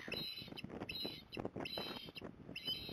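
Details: Osprey mother at Port Lincoln, Australia, calling from a magpie perch in December to lure her juvenile home: a run of shrill, high whistled notes in quick bursts over steady wind noise.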